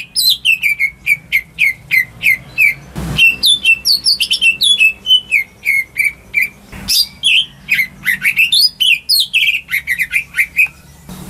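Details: Household greater green leafbird's song, used to coax quiet birds into singing. There are long bright sequences of quick whistled and chirped notes, varying in pitch and tone, interrupted twice by short thumps, over a low background hum.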